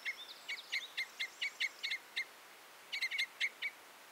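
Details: Red crossbill singing: rapid clusters of clipped, metallic chip notes with brief upward flicks, in two bursts separated by a short pause; quiet steady background.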